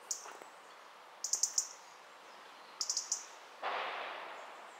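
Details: A European robin at home in Ljubljana on 20 October 2023 gives sharp, high ticking calls in quick runs of three, twice. A soft rushing noise follows near the end.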